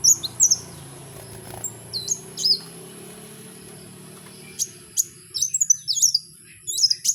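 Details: Kowul in the wild giving sparse, very high, sharp downslurred notes in short bursts, with a quiet gap mid-phrase and then a quicker cluster of high chirps near the end over soft background rumble.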